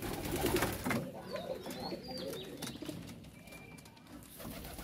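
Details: Pet pigeons, white birds kept in a loft, giving low soft cooing notes early on, then faint rustling and a few thin high squeaks.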